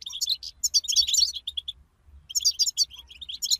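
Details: European goldfinches in lively group song, played to stimulate a goldfinch to sing: dense, rapid, high tinkling twitter with buzzy, jangling notes, two long bursts split by a brief pause.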